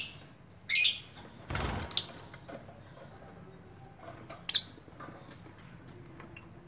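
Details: Lovebird making a few sharp, high squeaky chirps in separate bursts, with a loud dull knock partway through and low room hum beneath.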